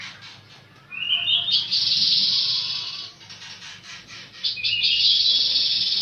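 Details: Gouldian finch song in two phrases, each a faint rising whistle swelling into a long, hoarse, hissing buzz, separated by a brief pause of soft ticking.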